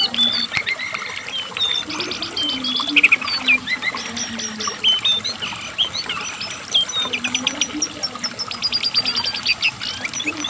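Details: Asian brown flycatcher singing nonstop: a dense, rapid jumble of high twittering notes, thin whistles and chattering bursts, with a faint low hum beneath.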